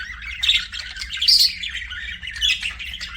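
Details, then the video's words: Budgie chirping in short lively bursts: scratchy warbles and squeaky tweets, with a sharp peak around half a second and louder phrases near one and a half and two and a half seconds. "BUDGIE CHIRPING SOUNDS"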